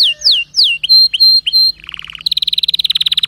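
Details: Canary song with three steep descending whistles, a run of repeated short piping notes, a low buzzy roll, and a final fast, bright trill.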